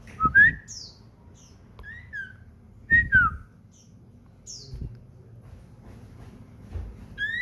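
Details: Caged common iora at home in lively song: paired clear whistles, sharply upslurred and downslurred, repeated every few seconds, with soft thumps in the background.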